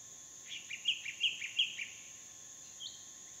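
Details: Hair-crested drongos in a tree near a small waterhole in a dry stream bed during the dry season, Phnom Prich Wildlife Sanctuary, Mondulkiri, Cambodia: a quick run of five or six sharp, metallic chirps over a steady high insect drone.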